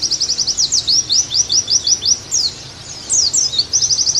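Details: Oriental white-eye (pleci) master song: fast rhythmic high chirps, about four a second, running into a slurred twitter, a brief lull, then renewed quick trilled notes.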